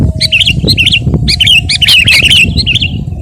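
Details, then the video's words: Lively Sooty-headed bulbul song for tutoring and luring birds: short liquid warbled phrases, each a quick up-and-down twist, repeated about every half second over a low background rumble. "masteran dan pancingan suara burung KUTILANG GACOR💯bikin burung anda KONSLET⁉️"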